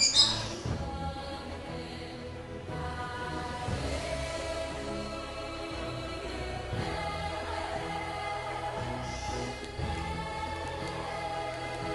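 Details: Steady music with sustained harmonic, chant-like tones throughout; no animal call stands out.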